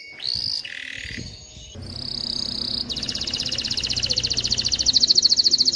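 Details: Canary song meant to train young birds to sing and stimulate females to mate, opening with short whistled notes, then a long steady buzzy trill that becomes a rapid pulsing roll, with a faint low background hum.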